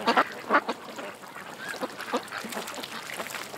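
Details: Ducks gathered at a creek give a few loud nasal quacks near the start, then softer scattered quacks from the group continue in the background.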